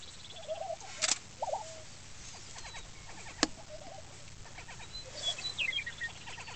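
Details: Male lesser prairie-chickens display on a lek near Woodward, Oklahoma: short, low bubbling hoots in brief bursts every second or two, with sharp clicks and higher chattering cackles from other birds nearby.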